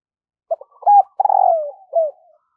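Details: Morning calling of a decoy spotted dove luring wild birds: a short low coo, a rising note, then a long hoarse falling coo and a final short downslurred coo.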